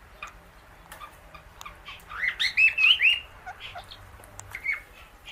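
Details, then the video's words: Indian ringneck parakeet kept as a pet with an Alexandrine parrot, the pair eating guava seeds together; a few soft clicks lead into a rapid burst of high, warbling chirps midway, then scattered clicks and one last chirp. "Parrot Natural Clicking Sounds"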